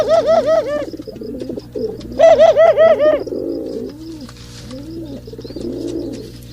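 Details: Male pigeons during mating: bursts of loud, bright, quavering notes in quick runs of four or five, alternating with softer low arched coos that roll on at an even pace.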